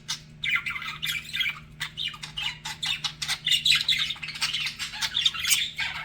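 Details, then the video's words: Budgies flirting with one another: rapid bursts of squeaky, scratchy warbling chirps come in quick uneven clusters, softer in places, with brief gaps between phrases. "BUDGIES FLIRTING"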